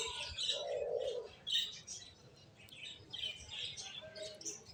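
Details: Finches chirp in short, high, scratchy bursts with brief pauses, joined by a softer, lower buzzing note early on and a faint background hum.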